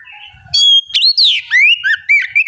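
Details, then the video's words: Oriental magpie-robin bait song used to prompt other birds to sing: bright, high, varied whistles, sharp upward and downward slurs and trilled bursts in quick succession after a soft, lower opening phrase. "Pancingan kacer gacor ngeplong masteran kacer bahan lekas bunyi nyaut!"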